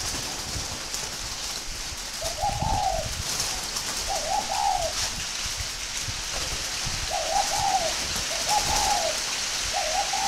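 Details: Spotted dove bred in Ba Vì, Hanoi, northern Vietnam, prized as a good caller. Short, rounded coo phrases repeat about every one and a half seconds under a constant rain-like hiss.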